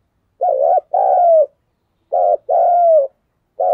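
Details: Cooing spotted dove, used to stimulate other doves to coo: a throbbing short note and a drawn-out falling coo, repeated about every one and a half seconds, with the start of a third phrase; clean, quiet background.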